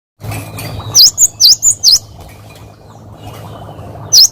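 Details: Cinereous tit, recorded as a tutor for training other birds, singing a quick burst of four high, sharp V-shaped whistled notes, 'wucit wucit', then a single matching note after a pause over faint low background hum.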